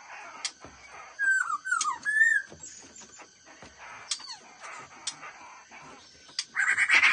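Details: Black-throated laughingthrush, fast-beak song style, giving a short run of clear slurred whistles that dip and rise, then sparse clicks and a harsh noisy burst at the end against a constant high background tone.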